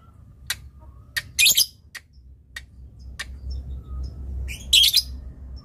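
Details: Lovebird training recording featuring ngetik ticking and long ngekek chatter: isolated crisp ticks around two loud, buzzy, scratchy bursts near the start and end, with low hum in the room.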